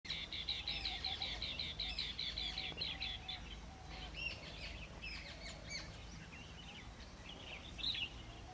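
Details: In India, a bee-eater in jungle habitat gives a quick run of high, rolling chirps for three seconds, then looser trilled notes, over a low background rumble.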